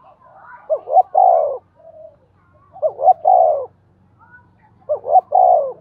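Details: Spotted dove cooing on the lunar new year's first day, giving three repeated phrases about two seconds apart, each a quick double note followed by a longer, falling, throaty coo, with faint softer notes between.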